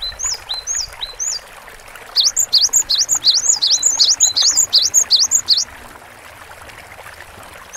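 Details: Cinereous tit. Three spaced, thin downslurred notes come first, then a rapid, even string of about twelve bright two-note phrases. The song ends abruptly, followed by quiet.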